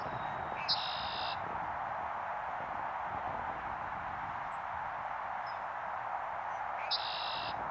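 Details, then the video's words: Two songs from a red-winged blackbird, about six seconds apart, captured on a Sony a7V camera. Each opens with short clicks and a quick note, then breaks into a metallic buzzing trill. A steady rushing noise fills the background throughout. "Red-winged Blackbird Calls"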